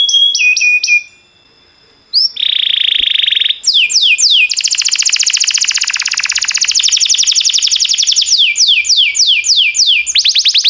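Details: Singing canary heard as a training recording: short swoops, a pause, a buzzy roll, then a long fast rattling trill followed by repeated descending swept notes and a rapid trill.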